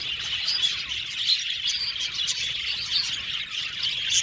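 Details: Many budgerigars in an aviary chattering, with busy high-pitched tweets and warbling squeaks layered thickly and steadily, and occasional sharper chirps rising above the crowd.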